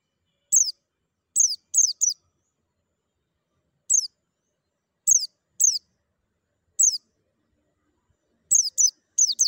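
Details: White-eye sound used as therapy to stimulate singing: sharp, high chirps sliding steeply downward, given singly or in quick pairs and triplets, with silent gaps of up to two seconds between bursts.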